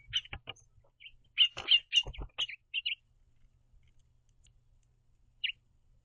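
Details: A pair of house finches at a backyard seed feeder, communicating with varied chirps as they hop about; a quick cluster of bright chirps mixed with clicks and knocks, then quiet and one last chirp.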